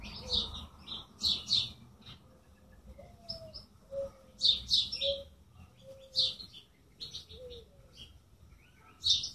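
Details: Birds chirping in scattered high bursts of sharp twittering notes, with soft lower whistled slurs between them and a faint low background hum.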